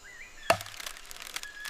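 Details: A palm cockatoo drums on a tree: one sharp, hollow wooden knock, then a few faint taps, after a faint thin rising whistle. It drums with a stick and picks where to strike as a courtship display that carries through the forest.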